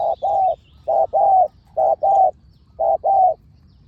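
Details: Fierce spotted dove at a decoy-luring site, calling loudly with soft, hollow coos. A brief note is followed by a drawn-out one, and these pairs are repeated about four times. There is quiet background noise from the countryside.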